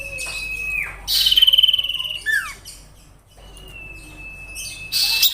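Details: Sirtu song serving as a training master for other songbirds: a long level thin whistle, a fast buzzy high trill, a pair of downward slurs, then another drawn-out flat whistle.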